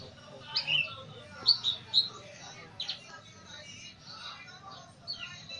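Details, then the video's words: Pet greater green leafbird (cucak ijo) that has begun singing often, in the lively style called gacor: scattered sharp, high whistled chirps and short bright notes in small bursts, separated by pauses, over a faint low hum. "Burung cucak ijo udah mulai gacor"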